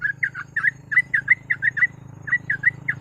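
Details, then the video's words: Sooty-headed bulbul singing in the rapid 'ropel' style, a lure recording: quick bubbly notes about two per second, chattering and uneven in rhythm, over a steady low hum. "TRUCUK GACOR ROPEL MASTERAN PANCINGAN BURUNG TRUCUK"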